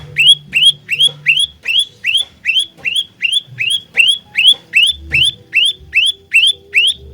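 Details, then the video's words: Olive-backed tailorbird, fighter-style song used as a lure for trapping: steady train of sharp upslurred whistles, each climbing then levelling off, about two and a half per second, over faint low-pitched background sounds. "Burung Prenjak Lumut Pikat Gacor Fighter"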